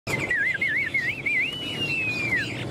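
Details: Tame caged Chinese hwamei clinging to the cage bars while displaying its wings and tail, singing a rapid wavering whistle that loops up and down before gliding into a long, smooth, slowly falling note.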